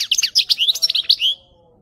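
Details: European goldfinch song for training goldfinches to sing: a clean, rapid stream of bright, liquid twittering notes, rising and falling, ending in a drawn-out thin whistle, with almost no background noise.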